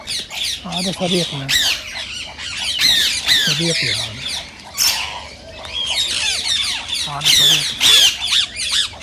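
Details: Loud, piercing rose-ringed parakeet screeches are interrupted by people talking in the background. The squawks come in irregular clusters. They are said to stimulate other parakeets to sing and mate.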